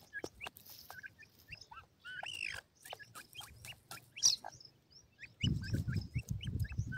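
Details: Several white grey francolin chicks at feed give quick high peeps and one longer slurred call, mixed with sharp pecking clicks; a low rumbling noise sets in near the end.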